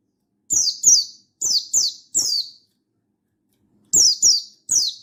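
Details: Buxtoni mountain white-eye calling a rival, in full wild-style voice: a burst of five shrill, downward-slurred chirps, a pause of over a second, then three more in close succession, with nothing else audible.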